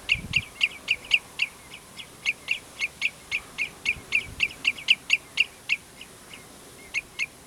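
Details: Common redshank, Prunjepolder in Zeeland, 15 June 2010: long bout of insistent high piping notes, about four each second with slight unevenness, tapering to a few scattered notes near the end; low thumps briefly underneath.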